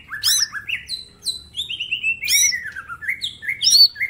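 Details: Green leafbird, mini type, in full master song: rapid sweeping whistles, stuttered falling series and sharp high flourishes run together in a dense, varied phrase, faint hum beneath.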